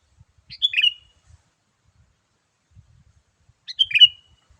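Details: Sooty-headed bulbul call used to lure wild bulbuls, in an energetic 'gacor' style. Two brisk chattering phrases of tumbling notes come about three seconds apart, with faint low knocks between them.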